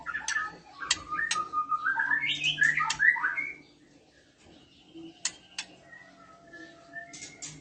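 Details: Oriental magpie-robin, a female in breeding condition with males replying: clicks open into about three seconds of rapid, rich warbling with up-and-down whistled notes, followed by a quieter stretch of scattered clicks and thin whistles.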